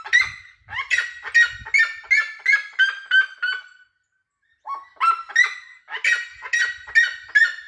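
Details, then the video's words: Red-legged seriema calling in a loud, rhythmic series of harsh, yelping notes, about three per second, first rising then sliding lower, broken by a brief silence midway before a second burst of yelps resumes. "O Cato da siriema lindo"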